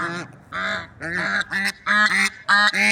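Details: Pair of lovebird swans in nature giving rapid nasal, trumpet-like honks, harmonic and slightly rising, repeated in quick succession and growing louder toward the end.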